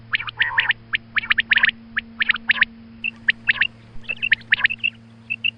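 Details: Morning calls of a female quail, batair, recorded for hunters: rapid bursts of high chirps and short whistled notes, rhythm uneven, roughly one burst per second, with a constant low hum underneath.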